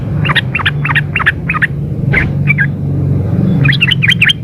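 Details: Female yellow-vented bulbul calling the male, used as a lure call: bursts of quick chattering notes near the top of the range in the first second and a half, then scattered shorter notes, over a steady low hum.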